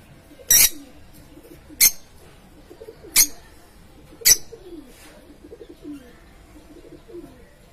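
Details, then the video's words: Colourful lovebirds at a breeding farm: four shrill, piercing screeches, each a brief harsh burst about a second apart, over soft low warbling and cooing notes from other birds. "Love Bird Sounds"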